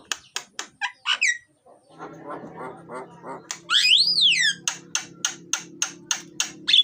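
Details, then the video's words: Myna (jalak) singing loudly, used to lure lazy mynas into song: rapid repeated broadband harsh clicks, a grating low chatter in the middle, then a loud rising-and-falling whistled sweep followed by more evenly spaced clicks. "suara jalak gacor,isian dan keras, cocok buat pancingan jalak yang malas bunyi"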